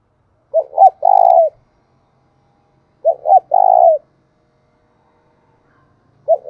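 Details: Spotted dove kept as a decoy bird to lure wild doves, cooing in a three-part phrase: two short rising notes then a long level coo, repeated about every two and a half seconds in a quiet setting.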